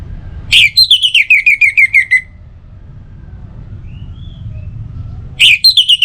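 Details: An orange-headed thrush sings as a lure for other birds in the morning and evening: a rapid, evenly spaced string of descending whistled notes lasting over a second, a pause with low rumble, then the run begins again.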